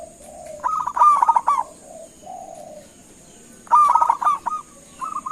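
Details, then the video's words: Lure call of a local zebra dove meant to prompt other doves to answer: two loud bursts of fast, bubbling cooing notes with softer low coos between them, and a thin steady whine in the background. "Suara Panggilan Perkutut LOKAL Gacor sekali dengar langsung NYAUTIN"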